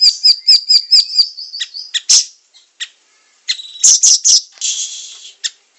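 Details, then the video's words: Siri-siri song used as a training recording for songbirds: rapid repeated high whistled notes in a fast series, then harsh buzzy bursts and scratchy chattering phrases after a short pause. "Masteran siri siri gacor 100 % nyamber"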